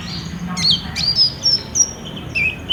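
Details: Olive-backed sunbird in lively song, used as a lure to get another caged bird singing, recorded on a Samsung J5 phone: thin, high whistled notes, some sliding up or down, in short bursts over a faint low hum.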